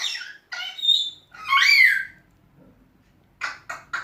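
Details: Pet African grey parrot that talks, whistles and calls names, giving three speech-like phrases with a clear whistled tone and a long rising-falling squawk, then silence and three quick short calls.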